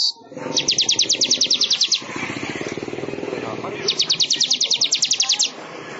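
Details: Weaver (manyar) song for training songbirds: two bursts of fast metallic trilling, each about a second and a half long, over a constant rumbling background of engine-like noise and low murmuring.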